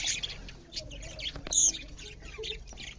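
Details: Budgerigars chirp loudly over their food, producing sharp squawky notes and high twitters, with one louder shrill burst midway.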